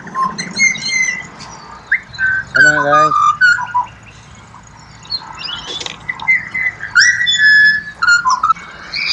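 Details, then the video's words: Whistled serenade of an Australian pied butcherbird: scattered mellow fluted notes at varied pitches, one buzzy squawk burst, and a quieter stretch before louder sliding whistles. "BUTCHER BIRDS Serenade / Serenata de Pajaros Carniceros"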